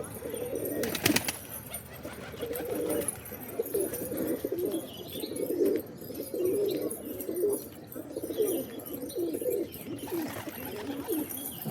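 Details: Steady low pigeon cooing continues throughout, with overlapping throaty warbles about every two seconds and a sharp click near the first second.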